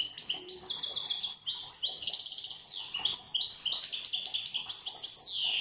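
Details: A Corsican European goldfinch sings a fast, continuous twittering of bright liquid trills and buzzy notes, with rapid tinkling phrases running without pause.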